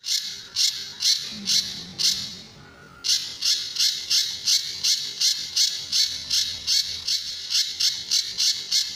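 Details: Sunda bush warbler recorded as a master song for training other birds, featuring 'tembakan' and 'besetan' phrases: a run of harsh, rasping buzzy bursts at roughly three per second, a short pause near two seconds, then the rapid series resumes.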